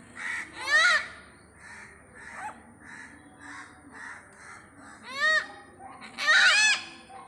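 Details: Visiting great hornbill at Pathanamthitta calling with several loud, raspy, rising-and-falling honks spaced a few seconds apart, softer grunting notes between them.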